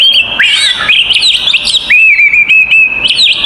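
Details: Oriental magpie-robin in full fighting song, a 'konslet' style meant to provoke other magpie-robins: sharp whistled notes around a steady high pitch, with quick rising and falling slurs and short chirps, and a brief pause midway.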